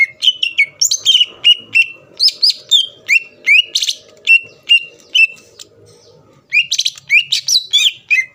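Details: Greater green leafbird in full song, used to provoke rival leafbirds into singing: a rapid string of sharp, chirping notes with upward flicks, repeated roughly three times a second, a pause, then a fresh burst.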